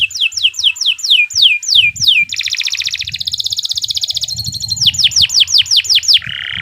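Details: Canary master song for teaching other birds: a run of falling whistles about three per second, a buzzy rolling trill, a metallic rapid rattle, then more falling whistles and a low buzz.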